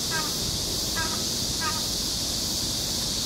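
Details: Crow calling outdoors: four short, harsh, layered calls spaced about every three quarters of a second over a steady hiss of background noise.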